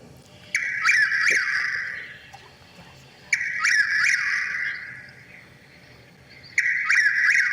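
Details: Chuck-will's-widow, a large nocturnal nightjar heard in spring at night, dusk or dawn, especially on moonlit nights, its voice echoing through woods; a loud whistled multi-note phrase repeats about every three seconds, clear against a quiet background.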